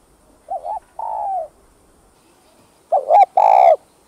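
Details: Spotted dove (cu gáy) cooing as a lure for wild doves: two phrases, each a brief wavering low coo then a drawn-out hollow note, separated by about two seconds of quiet.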